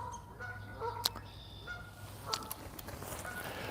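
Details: Canada geese, two pairs in a territorial dispute on a calm, chilly, spring-flooded riverside wetland near Montréal in April, trade short, nasal honks at an uneven pace, a few in under four seconds, over a low hum and sharp clicks.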